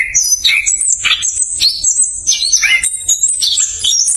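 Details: Tight, speedy ngerol song from an orange-headed thrush, used to coax quiet thrushes to sing: thin high whistles mixed with harsher squeaky notes, delivered almost without pause.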